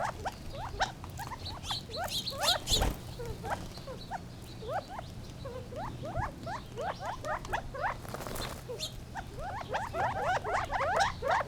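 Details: Gambel's quail giving many short, rapidly repeated upward-sweeping chips and squeaky notes, some in quick doubled bursts, over a low steady hum, with a few brief soft thumps.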